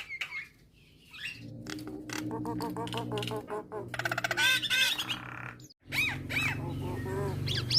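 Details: Nias hill myna song, played to provoke starlings into singing: loud harsh squawks and rapid repeated notes over a steady low mechanical hum, a brief break, then ringing whistles rising and falling.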